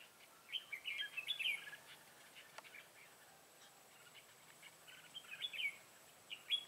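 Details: Decoy red-whiskered bulbul in fight song to pull wild bulbuls into a trap, 25 September 2018. Lively clusters of chirpy, slurred whistles come in two bursts separated by a quieter stretch.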